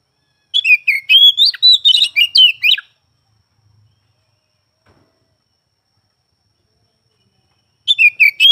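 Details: Oriental magpie-robin in rapid song: a burst of varied whistled and chattering notes for about two seconds, a long silence, then the song starts again.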